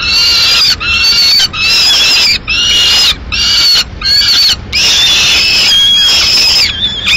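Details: Female peregrine falcon arriving at a nest in Madrid with pigeon remains for a mid-morning meal; loud, harsh, wailing calls with a rising-falling pitch, repeated about every second in bursts with brief gaps.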